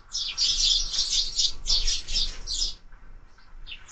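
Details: Sparrows chattering at a bird feeder on a bird camera: loud, rapid bursts of high chirps, several per second, for about three seconds, then a few quieter tweets.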